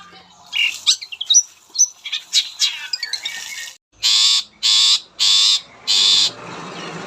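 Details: Long-tailed Shrike song used as a lure to prompt other shrikes to sing: varied high chirps and squeaky notes, then four loud, harsh, buzzy bursts roughly half a second apart.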